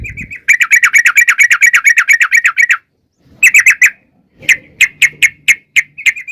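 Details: Sooty-headed bulbul, described as a female calling the male, giving a fast rattling run of bright chirped notes for two seconds, a pause, then shorter bursts of similar notes with faint low noise beneath.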